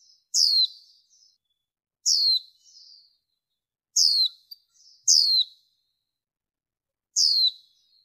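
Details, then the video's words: Female warbling white-eye calling, from a 2023 lure recording with background noise removed to stir males and attract wild birds: five clear, sharp, falling notes spaced irregularly, with faint twittering tails. "Tiếng Khuyên Mái Mới Nhất Kích Trống, Bổi Cực Căng Mở Là Tới | Tiếng Vành Khuyên Mái"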